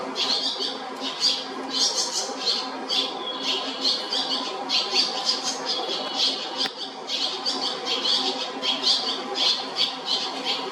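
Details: Barn Swallow nestlings at the JR Shinodayama station building in Japan produce a long run of sharp, high chirps in quick clusters, with a brief lull midway before the chattering resumes.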